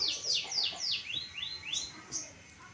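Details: Pastol long-tailed shrike singing vigorously: a quick series of about seven loud, high, sharply falling whistled notes, each dropping lower than the last, followed by two brief high squeaks.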